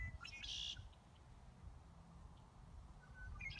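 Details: Many red-winged blackbirds sing in spring at a marsh pond in Indian Springs Metropark, giving two bright, buzzy trills about three seconds apart in the background, with a man's voice and low wind rumble beneath.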